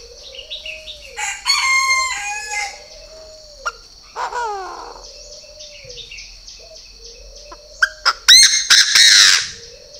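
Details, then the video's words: Purebred Chinese francolin giving loud, harsh, raspy notes in short ringing bursts, one around two seconds in and a louder grating series near the end, over steady low cooing and scattered chirps from other birds. "CHIM ĐA ĐA THUẦN CHỦNG GÁY"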